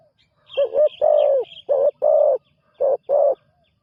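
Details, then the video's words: Newly trained spotted dove calling on its first outing: six low, rounded cooing notes in short pairs and singles, some slightly doubled, with faint higher chirps from another bird above them. "นกเขาใหญ่ต่อดิน ฝึกนกใหม่ออกฝึกครั้งแรกพอได้ยินเสียง"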